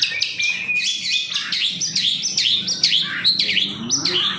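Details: Long-tailed shrike singing, used as a lure to prompt other shrikes to sing: a busy, varied run of high whistled and chattering phrases, short notes rising and falling quickly, with no pauses.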